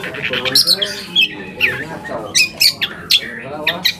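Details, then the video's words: Long-tailed shrike lure song to stir other shrikes: spaced harsh squawks and short whistled notes over a murmur of low background sound. "PANCINGAN AMPUH BURUNG CENDET AGAR CEPAT GACOR - cendet manapun langsung nyaut dan emosi"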